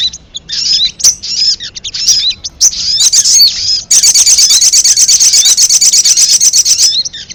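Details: Ruby-cheeked sunbird lure sound used to call wild birds for trapping: shrill twittering chips and squeaks, then a long rapid buzzy trill of evenly repeated high ticks lasting about three seconds.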